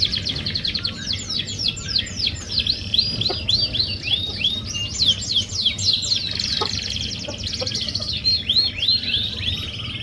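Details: Canary song meant to prompt another canary to sing: dense rapid trills and swooping high notes in continuous phrases, with faint clicks and low background rumble.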